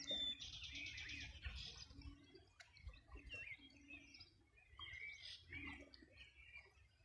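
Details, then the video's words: Birds singing at the riverbank of the Río Bueno, Los Ríos Region, on a summer morning in 2020: a rapid buzzy trill opens, followed by assorted high chirps and twittering notes over a faint low water murmur. "Sonido de las aves a orilla del Rio Bueno"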